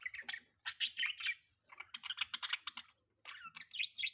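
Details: Pet budgerigar chattering with fast clicky, ticking notes mixed with short squeaky warbles, delivered in three bursts separated by brief pauses, over a faint low hum.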